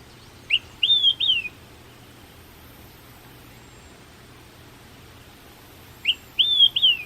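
Olive-sided Flycatcher giving its loud three-part whistled 'quick, three beers' twice, a short note then two slurred high whistles, about five seconds apart.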